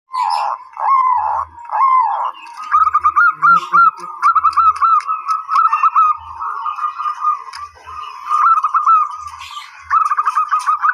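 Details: Zebra dove song: rolling, bubbly coos near one pitch, given in short bursts with brief pauses between phrases. A faint low thumping recurs beneath.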